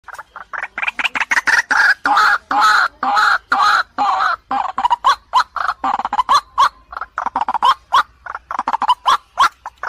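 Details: White-breasted waterhen, a female calling to a male, a recording meant to lure and provoke: loud, harsh, croaking notes repeated rapidly in a steady stream, broad and rasping, barely pausing across the whole stretch.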